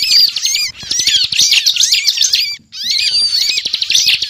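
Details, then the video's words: Bar-winged prinia in lively 'ngebren' singing, used as a trapping lure: two dense bursts of shrill chattering and warbled upslurs separated by a brief silence. "Suara Ciblek Gacor Ngebren"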